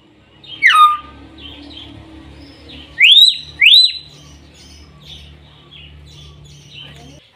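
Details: Common hill myna giving loud, sharp whistles: a piercing note that slides down near one second, then two rising-and-falling whistled swoops in quick succession around three seconds, with soft chatter and low hum between them.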